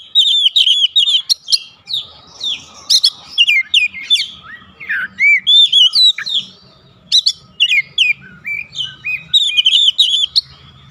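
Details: Oriental magpie-robin, or kacer, in sustained 'ngeplong gacor' song played to make household birds respond: long sequence of bright whistles, upsweeps and chattery phrases in repeated bursts over a faint low hum.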